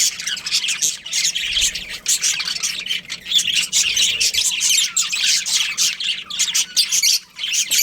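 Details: Breeding pair within a budgerigar colony: busy, overlapping high chirps, squawks and warbles continue for the whole stretch, with a short quieter moment near the end.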